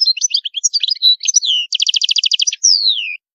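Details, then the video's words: European goldfinch singing in high maqams, a continuous liquid twittering of varied chirps. It leads into a rapid even trill of about fifteen notes and ends with a long clear whistle sliding downward. "تغريد الحسون جميل دو مقامات عالية"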